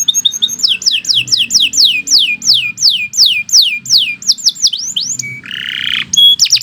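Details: Canary giving long 'gacor' song: steady series of high falling whistled notes about three a second, followed by a brief harsh buzzy phrase and short whistles.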